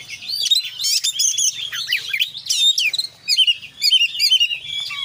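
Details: Oriental magpie-robin singing in konslet full isian fashion: rapid chattering and ringing whistles, then a run of evenly repeated bright notes, varied and nonstop, with a soft low hum in the background.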